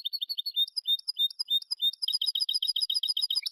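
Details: European goldfinch in Málaga-style song, a tutoring recording for young birds: varied high chirps and drawn whistles with soft lower slurs, turning into a dense, rapid twitter.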